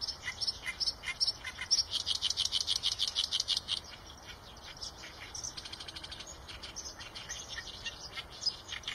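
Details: Chirping Eurasian tree sparrows: dense, rapid, high chirps packed together for about four seconds, a pause, then scattered quieter chirps over a hissy background.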